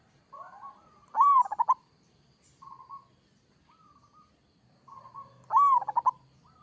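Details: Local zebra dove singing two complete phrases about four seconds apart, each a soft lead-in coo, then a loud arched note and rapid rolling pulses, with quiet short coos in between.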